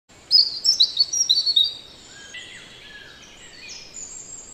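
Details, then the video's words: A robin sings a quick burst of high, thin, sweet notes for about a second and a half, then a fainter, lower falling warble over soft outdoor hiss. "robin birds song"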